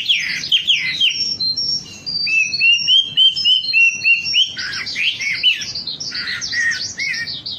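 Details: Wambi lure song for caged birds: sharp falling chirps, then a rapid string of short, even whistles repeated several times a second, ending in a busy burst of high twitters.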